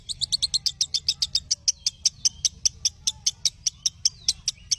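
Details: Lovebird chirping used to train other lovebirds: a quick opening flurry of high, piercing notes that settles into an even beat of about two and a half per second over a low hum.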